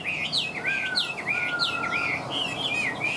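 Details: A caged male Chinese hwamei, over two years in the cage and partway through moult, sings loud, rich whistled phrases looping up and down, several notes a second, over a lower sustained whistle and faint hiss.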